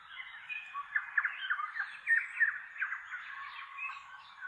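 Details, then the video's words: A flock of tui feeding in an oak tree in inland Kapiti, New Zealand; dense, overlapping chatter of squawks, clicks and short warbled notes from several birds at once. "Tui Flock with Bird Song in Oaks"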